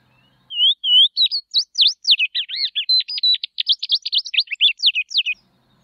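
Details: Tropeiro seedeater song opening with two smooth whistles, then a long, rapid, tumbling sequence of high sharp notes and slurs lasting almost five seconds.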